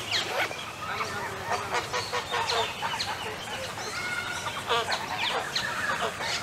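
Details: Cape Barren geese, a rare, grazing, monogamous species, give harsh, rasping honks and grunts in quick, overlapping bursts, several birds calling at once against a steady background hiss.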